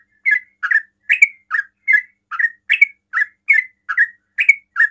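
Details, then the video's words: Fast 'ropel' style singing by a sooty-headed bulbul that provokes rival bulbuls to respond; clear, evenly spaced chirped notes with a bubbly rising-falling shape, about twelve in five seconds. "TRUCUKAN ROPEL PALING CEPAT MEMANCING TRUCUKAN LAIN NYAUT"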